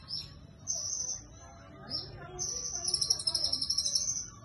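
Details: Sunbird in cililin-style song: sharp, very high whistles early, a short pause, then a drawn-out high note turning into a rapid pulsing trill near the end, over a quiet low background hum.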